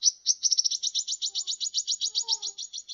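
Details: Sunbird song for training songbirds: a continuous, fast, high, buzzy trill of evenly spaced notes lasting about three seconds, with faint lower tones underneath.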